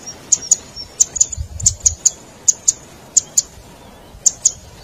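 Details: Lure calls of the zitting cisticola, cingklong style, for trapping wild birds: crisp, piercing high clicks in pairs, spaced about half a second to a second apart, with a few low thumps.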